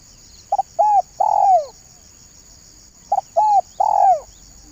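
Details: Lure call of a spotted dove in banggo bocor style, two phrases about 2.6 seconds apart, each a short note, a level coo and a longer downward-curving coo; continuous high hiss.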